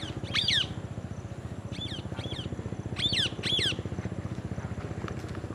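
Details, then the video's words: Parrot eating an apple with others nearby: scattered shrill squawks, two louder pairs in the middle, against a continuous low throbbing engine-like noise. "Parrot Eating Apple and others parrot natural sound"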